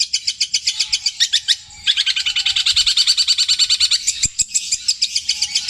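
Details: Long-tailed shrike singing mimicked material of other birds in long repeated phrases; high rapid chattering notes pulsing about twice a second, sustained over several seconds with a short break, faint low sounds beneath.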